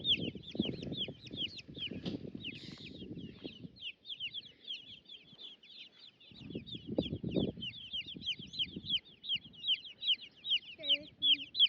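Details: Baby chicks, with turkey poults (turklings) roaming about on a homestead, peep nonstop, high and sharp, several calls a second from many birds, over low thumps and rumbling noise.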